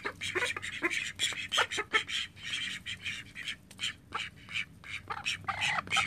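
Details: Several call ducks in a household flock of thirteen birds quack loudly and repeatedly, harsh nasal notes in overlapping bursts with brief pauses.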